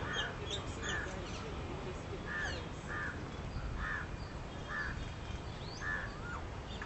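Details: Western swamphen, feeding chicks, gives about eight short, hoarse, nasal squawks at an even mid pitch, spaced well under a second apart, over steady outdoor hiss with faint high chirps.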